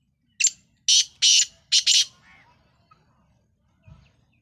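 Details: Black francolin, local name Sindhi lal potiya or kala teetar, utters a harsh phrase: a brief sharp note, two long buzzy grating notes, then a quick double rasp. A soft thump comes afterward.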